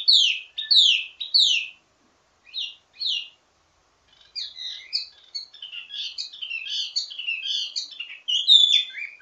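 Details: Wambi mini singing a richly varied ledekan, or teasing song, intended to train others of the same kind: loud downslurred chirps, a short gap, then a fast twittering medley of high notes.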